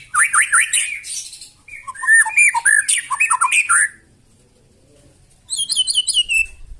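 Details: White-rumped shama giving a loud, rough provoking song meant to make other birds sing back: rapid fluty notes and harsh squawky bursts, a brief silent pause, then a fast high trill.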